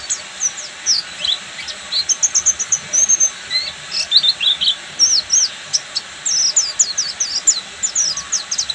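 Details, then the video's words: Oriental white-eye of the Buxtomi type singing in the full ngeriwik style: rapid, high, thin chirps and short sliding notes tumble out almost continuously over a steady background hiss. "SUARA BURUNG‼️PLECI BUXTOMI FULL NGERIWIK"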